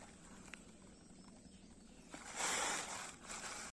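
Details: Two Greater coucal chicks give a harsh, breathy hiss lasting under a second, then a shorter, softer one, against quiet background rustle.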